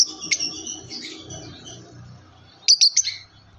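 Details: Yellow lovebird chirping: a scratchy high chirp at the start fades into soft trailing twitter, then a quick burst of four sharp, piercing chirps near the end, separated by quiet.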